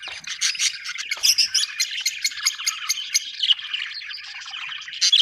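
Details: Happy budgies chirping together: continuous warbling chatter punctuated by a run of evenly spaced sharp clicking notes, then softer twittering.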